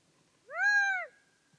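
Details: Gambel's quail giving a single loud, nasal, harmonic-rich note about half a second long, slightly arched in pitch and falling away at the end, in otherwise quiet surroundings.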